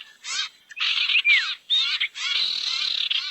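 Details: Barn owl lure sound to bring owls together: separate rasping hissed screeches of varying length, one carrying a falling whistle, then a longer steady hiss.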